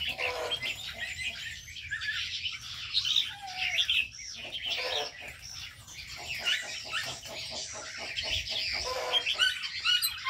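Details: Aviary birds in a busy chorus: continuous high twittering and chirping from many birds at once, with short bursts of rapid repeated ticking notes and a brief lower whistled phrase partway through.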